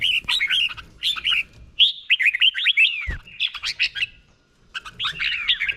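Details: Slow, clear doubled 'beon' song of a caged red-whiskered bulbul, Thailand, played for training birds to imitate. Three bursts of rich, bubbling whistled notes separated by short gaps, one ending in a falling slur, a single low thud midway.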